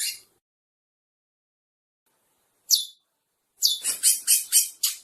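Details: Curió couple, chestnut-bellied seed finches, singing. Two lone high notes separated by silence are followed by a fast burst of six bright, sharply attacked notes in the final second and a half.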